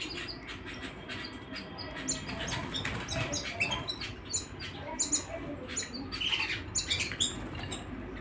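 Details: Canaries singing at home: dense, fast chatter of bright twittering notes and short trills, overlapping and continuous, with quieter low background hum beneath.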